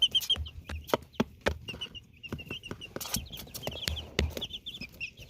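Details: Chicks in Canada give many short high peeps in quick, irregular runs, mixed with sharp clicks and thuds, apparently from pecking or movement.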